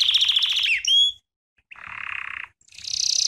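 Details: Belgian canary song for training: a quick buzzy trill ending in upslurred whistles, a short silence, then a low rattling trill and a higher pulsed one.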